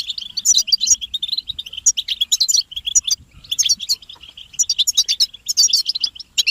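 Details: Group twittering of European goldfinches, described as calls that prompt males to sing; bursts of bright, tinkling chirps and buzzy trills come in quick clusters separated by brief near-pauses.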